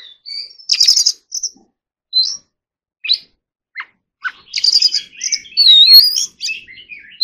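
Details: Caged Oriental magpie-robin training its song, with sparse short whistles and downward chips separated by pauses, then a rich burst of chatter and wavering high whistles.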